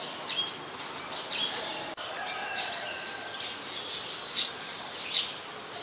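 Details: Olive-backed sunbird in mangrove forest at a Thai conservation centre: short, thin, high chirps scattered every second or so, some sharp and bright, over steady hiss, with a brief break near two seconds.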